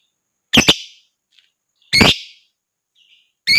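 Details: Lovebird giving gacor, ngekek sound to stir other birds into singing: loud rasping double squawks spaced about a second and a half apart, with faint short chirps in between.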